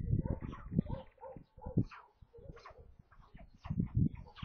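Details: White stork chicks, five young in a nest near Kaluga in central Russia, at feeding time around 13:57 on 27 May, filmed by a nest camera; hoarse, harmonic calls in short pulsed bursts, repeating every half second or so, with noisy rustling underneath.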